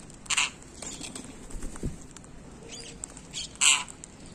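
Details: Ringneck parrot giving two loud, harsh squawks, one near the start and one near the end, with a few faint chirps and soft rustling between them.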